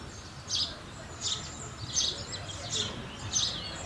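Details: House sparrow calling with five loud, sharp cheeps spaced about seven tenths of a second apart against faint background noise.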